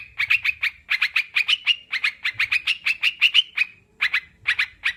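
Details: Sooty-headed bulbul sound used as training for kept birds: rapid bursts of short, sharp chirpy notes, roughly five per second, in runs separated by brief pauses.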